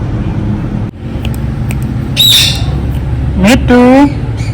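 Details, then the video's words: Ringneck parrot utters a high drawn-out squeal, then a loud rising, wavering call near the end, over low steady hum. "Ringneck Parrot Natural Sounds"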